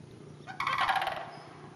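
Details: Sandhill cranes in a neighbouring hayfield about half an hour north of the Twin Cities give a single loud, rolling rattle of rapid harsh pulses lasting about half a second, over quiet rural background hiss.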